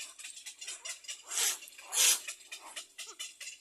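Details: Little egret chicks in a nest begging for their mother to feed them: rapid, raspy, hissing chatter in short bursts, with two louder harsh rasps standing out midway.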